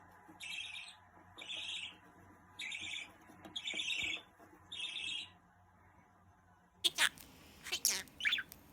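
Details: Pet budgerigar chattering, offered to help search for a lost bird: five evenly spaced bursts of bright, buzzy warbling about a second apart, then a sharp clattering, scratchy burst at the end.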